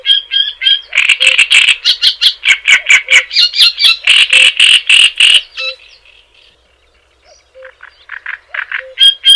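Java sparrow song: a fast run of dry, clicking chips that build into bell-like notes, then a pause and softer repeated chips.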